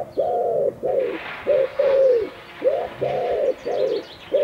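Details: Amorous common wood pigeon cooing to its mate: full, rounded coos in short groups, some ending with a downward slide, over a soft rushing background noise.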